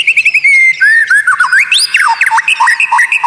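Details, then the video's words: White-rumped shama tutor song with unusual notes meant to anger rivals: rapidly repeated short whistles, then sweeping slides up and down and sharp varied phrases. "Masteran murai batu Suara Aneh unik langka bikin lawan ngamuk sambar materi"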